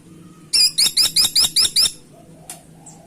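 A woodpecker gives a quick series of six sharp, high, squeaky notes, about five per second, each dropping slightly in pitch, over a faint low hum.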